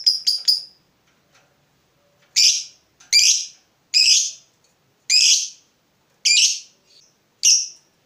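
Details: Fighter lovebird provoked by a rival, answering with "ngetik" ticking before its "ngekek" call: three quick high notes open, then a pause and six harsh, high, buzzy bursts spaced roughly a second apart over a quiet background.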